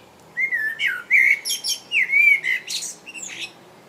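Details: Close song of a common blackbird, England: fluty, slurred whistles rising and falling, a repeated mellow phrase, then a strained high twittering flourish ending the strophe, with little background noise.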